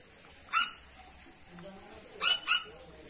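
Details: Cucak pantai from Papua, also known as a mayang-sucking bird, giving short loud harmonic-rich notes: one single note, then a quick pair about a quarter-second apart, over quiet background hiss.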